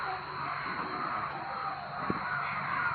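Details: Many crows making loud noises at once, their caws blending into a continuous harsh wash with no single call standing out, and a brief knock partway through.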